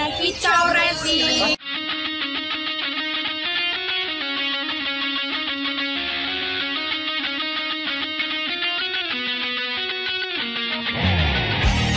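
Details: Guitar-driven music plays throughout with no animal sound heard.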